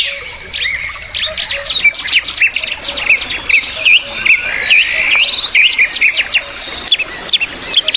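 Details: A parent bulbul belang, also called bulbul tenggorokan, keeps up a fast, busy stream of bright chirps and short whistled notes, more than two a second, with a soft hiss behind.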